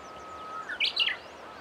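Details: Japanese bush warbler calling as it flies away: a brief pair of sharp, rising chirps close together, with a faint steady tone underneath and quiet rural background.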